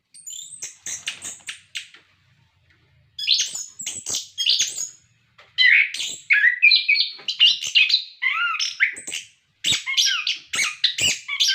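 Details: Orange-headed thrush song used to prompt captive birds to sing: short high scratchy bursts separated by pauses, then a long rich run of varied whistles and trills.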